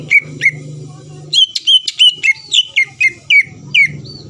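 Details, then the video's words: Greater green leafbird song meant to provoke rival birds: a few spaced whistled notes, then a quicker string of clear looping whistles, over a steady low hum. "PANCINGAN CUCAK IJO GACOR MEMANCING EMOSI LAWAN LANGSUNG NYAUT"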